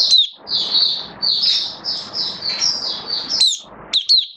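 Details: Oriental white-eye kept in a cage as a hobby bird, in build-up form, recorded 19 September 2022: an almost continuous stream of high, sweet twittering with sharp downslurred whistles near the end.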